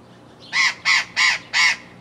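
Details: An Australian ringneck of the subspecies Barnardius zonarius zonarius gives four harsh, rasping calls in quick, even succession, each a short screech, over a quiet background.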